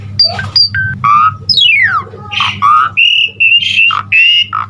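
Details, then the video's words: Asian pied starling (Jalak Suren) in energetic gacor full-isian song: harsh squawks, a steep falling whistle, shrill upslurs and bursts of grating notes in quick succession over a steady low electrical hum. "Suara Jalak Suren GACOR Full Isian Terbaik"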